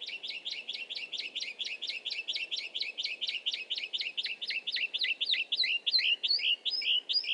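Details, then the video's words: Grassland yellow-finch (chirihue) song, a short rhythmic-melodic pattern that is repeated and then gradually slowed: quick, high, chirping notes, about two to three per second, that spread further apart and change shape toward the end. "El canto del Chirihue"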